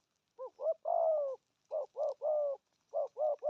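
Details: Spotted dove in deep-toned 'thúc gù' cooing. Two short, rising hooting notes lead into one long, even coo, and the phrase repeats roughly every 1.5 seconds against a quiet background.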